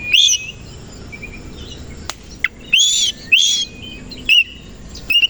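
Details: Oriental magpie-robin singing in the morning while spreading its tail: sparse loud whistled phrases, upslurred notes and brief buzzy bursts, separated by quiet gaps of about half a second to a second.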